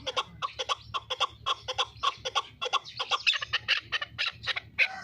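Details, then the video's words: Chukar partridge kept as a fighting bird in Qubodiyon, Tajikistan: loud, rhythmic chuk-chuk clucks repeated steadily, turning to more rasping, squealing notes near the end, with faint low hum behind. "Кабки Қубодиён"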